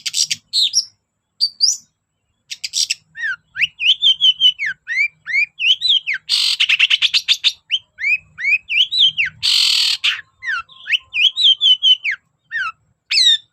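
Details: Long-tailed shrike, a loud, constantly singing bird used as a lure to get reluctant shrikes singing. Varied run of sharp downslurred whistles and short chirps, broken by two dense buzzy rattles, with brief pauses between phrases.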